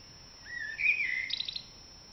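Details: Dawn chorus in April led by a common blackbird: a low, smooth fluted whistle that rises, then closes with a quick burst of high squeaky twitters.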